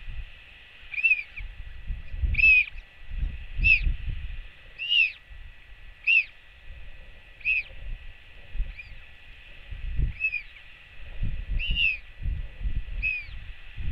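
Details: Royal albatross chick skycalling to greet its mother as she returns to the nest, filmed on a live cam on 8 June 2024: a long run of about ten ringing, arch-shaped cries spaced roughly every 1 to 1.5 seconds, with gusty wind beneath.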